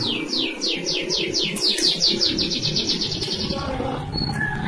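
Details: Greater green leafbird singing a rapid series of about twenty downslurred whistled notes, speeding up into a dense trill midway, then a few scattered short notes, over low background rumble.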